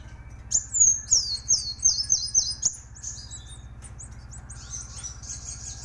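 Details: Plain sunbird in full, vigorous song for teaching other songbirds: a fast burst of high, sharply descending whistled notes for about two seconds, then softer, fainter twittering over a constant low background hum.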